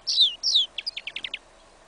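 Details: Song fragment from a goldfinch × yellow isabella canary hybrid tested in a winter field, January 2015: two slurred descending whistles followed by a quick series of six short clipped chirps.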